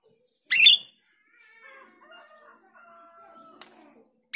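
A female Grosbeak starling gives one loud, harsh, buzzy burst, then faint, thin, wavering notes and a couple of sharp clicks.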